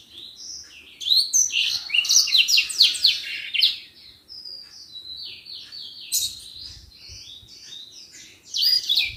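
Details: Common iora in full, lively song, kept as a master recording for teaching songbirds: a dense, jumbled run of high chirps and sweeping twitters, a softer stretch of thinner notes, then a renewed loud flurry.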